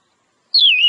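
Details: Single falling and wavering whistled note from a wild Oriental magpie-robin, a clear solo sound.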